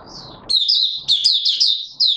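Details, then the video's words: Oriental white-eye (Mata Puteh Raja) in open song, 24 March 2022: after a moment of low hiss, a loud, continuous high warbling twitter of fast, wavering notes fills the rest of the recording. "Mata Puteh Raja Video 1 buka sing"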